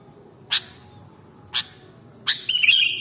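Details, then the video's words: Kutilang, the sooty-headed bulbul, recorded as mastering material: two crisp, separate chip notes about a second apart, then a third chip running straight into a fast, buzzy, rattling trill held on a steady high pitch, over faint low rumble. "Mastering Burung Kutilang Original Bikin Burungmu Bisa Langsung Nyaut dan Gacor"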